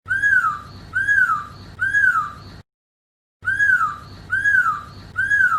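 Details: Chinese hwamei singing melodiously, a clean recording without added effects: loud slurred whistles rising then falling, repeated about every 0.8 seconds in two bursts of three, split by a short silent gap.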